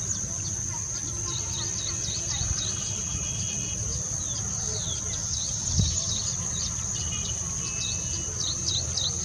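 Sparrows chirp in short, bright, repeated notes, several overlapping, over a steady high insect drone and low background rumble.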